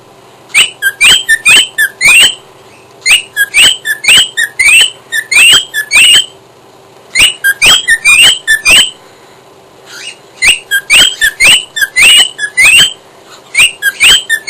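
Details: A pet cockatiel sings bursts of sharp, rising whistles and chirps in rapid phrases.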